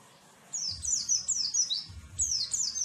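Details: Bright canary-style phrases from an Oriental white-eye: rapid bursts of very high, falling notes in quick succession, pausing briefly before starting again, over a soft low rumble.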